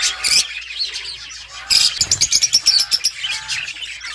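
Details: Budgies chirping, a bright burst of chatter followed by a rapid run of about a dozen short, evenly spaced chirps, then softer warbling.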